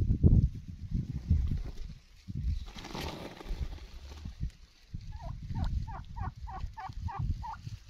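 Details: Wild turkey letting out a fast, bubbling gobble of about eight quick notes near the end, after stretches of heavy low noise and a brief hiss.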